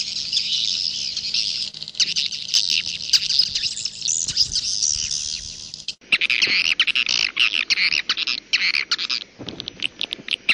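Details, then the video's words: Jaguar-style edible-nest swiftlet sound: thick high chattering at first, then after a sudden cut a choppier run of harsh, squawky chirps in short bursts. "SUARA WALET jaguar BURUNG WALET"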